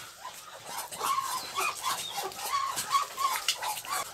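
Muscovy duck giving soft, breathy, husky notes, repeated irregularly about three times a second, with a faint background hiss.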